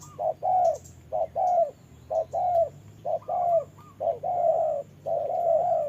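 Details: Rain-soaked trapping scene with a decoy spotted dove challenging a wild bird; dense run of mellow coos, a clipped note leading each longer hoot, five pairs in six seconds.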